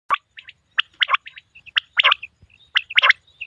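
A male common quail gives bursts of sharp, liquid, clipped notes, roughly one cluster per second, with brief pauses between and no other sounds.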